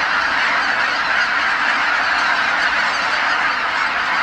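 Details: Massed honking of geese returning to the marsh at Kabukuri-numa at dusk, the whole flock calling together in a steady, unbroken roar of overlapping voices.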